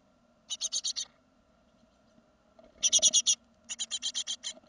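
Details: Great tit second-brood fledglings leaving the nest in 2016: three bursts of five to seven fast rasping notes, separated by quiet gaps, with a brief thump and rustle mid-clip.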